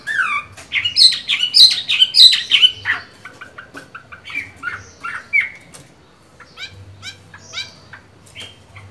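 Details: Chinese hwamei kept as a cage bird, singing during its moult: a burst of bright whistled slurs and clipped chirps fading into sparse softer notes, with a low hum in the background.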